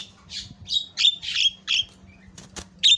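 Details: Energetic Javan myna delivering isian (filler) song, here a string of loud, harsh, squawking notes with squeaky edges, spaced irregularly, plus a couple of sharp clicks.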